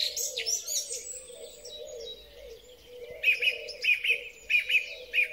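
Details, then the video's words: Spring song of a song thrush, captured with a Huawei P30 Pro phone: high chattering notes, then a bright clipped phrase repeated four times in quick succession, with a low steady warbling tone underneath. "Drozd Śpiewak. Wiosenny koncert ptaków."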